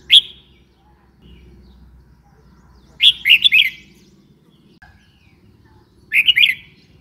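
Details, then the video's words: Red-whiskered bulbul with a sharp single note followed by two rapid, slurred chirping phrases of three or four notes each, separated by quiet with soft low background noise. "Red whiskered bulbul call 04"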